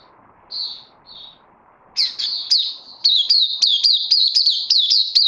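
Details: Caged oriental white-eye on 31 May 2020, second day of supplement feeding. A pair of short buzzy notes, then an energetic song of rapid, slurred, high twittering chirps that grows steadily denser.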